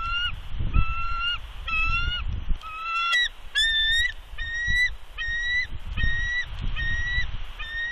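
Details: An incubating bald eagle hen on her Big Bear nest calls out in warning at an intruder eagle, February 2020. A long string of thin, piping whistles comes in steady pairs and bursts, some higher and sharper, over breezy low noise.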